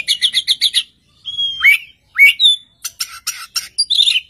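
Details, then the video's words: Singing Oriental magpie-robin that sets off an answer from a second bird: six quick sweet notes in a row, then two long rising whistles, ending in a rapid chattering trill. "kacer gacor satu titik nembak bikin kacer lain langsung nyaut"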